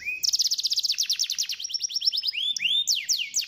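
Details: Canary song to get a lazy canary singing: a rising whistle opens a rapid run of repeated chirps, followed by sweeping upward slides and sharp notes.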